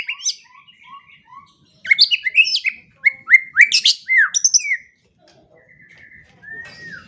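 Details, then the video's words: White-rumped shama song used as 'masteran' training material for songbirds, played morning and evening. Varied bright whistles and rising slurred notes in quick bursts, with pauses between phrases. "Pancingan dan Masteran Pagi dan Sore Hari Murai Pendiam Langsung Ikut Bongkar Isian | shama bird"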